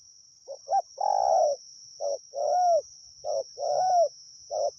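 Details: Decoy spotted dove used for luring wild doves, repeating a cooing phrase about three times: a short clipped note followed by a long, slightly arched, hoarse coo, with a thin steady high whine behind.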